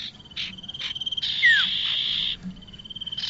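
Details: Bar-winged prinia, used to lure birds for trapping, gives short buzzy notes over a steady thin high trill, then a long rasping buzz with one falling whistle before the trill resumes.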